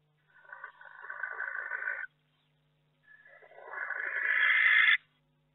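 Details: Barn owl in a nest box during a week in May, with a second egg hatched and two still to go. Two harsh, hissing screeches, each lasting under two seconds, the second louder and swelling toward its end, over a faint steady hum.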